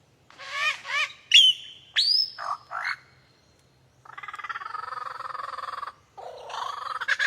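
A superb lyrebird runs through a varied string of loud, ringing whistles and sharp notes, then switches to a long, harsh, buzzy rattle that ends in rising chatter.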